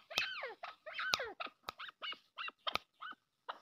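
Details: Arabian partridge, known locally as maskati chakor, giving a run of short harmonic notes that sweep downward. They come in quick uneven bursts about once a second, mixed with sharp clicks and brief gaps of silence.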